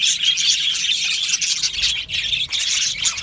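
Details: Budgerigars, Australian parrots, chirping and singing in an aviary; a thick wash of high twittering notes with brief whistles, dipping for a moment near the middle.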